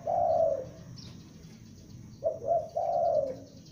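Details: Young spotted dove kept as a lure bird, calling: one drawn-out low coo, then after a pause a phrase of two short coos and a longer, slightly falling coo, over a faint steady hum.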